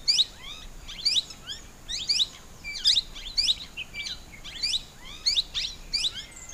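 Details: Plum-headed parakeet giving shrill, high, downward-slurred calls in quick pairs and triplets, repeated about every second in a steady series.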